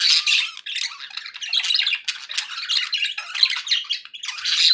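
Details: Pet budgies making happy sounds, a steady overlapping stream of harsh squawks and fast twittering chirps, loud at the start and end.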